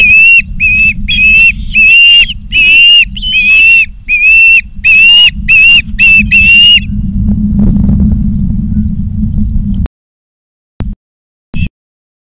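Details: Osprey calling at a Charlo, Montana nest, 19 August 2023, 16:05, live cam: about a dozen sharp whistled notes, some upslurred, in a quick uneven run for seven seconds, then hum and a few dropouts.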